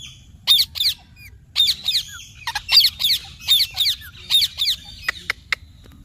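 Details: Talking parrot saying "mummy papa": harsh, high, raspy syllables delivered in quick pairs, the paired bursts repeated roughly once a second, ending with a few short sharp squeaks over a faint low background hum.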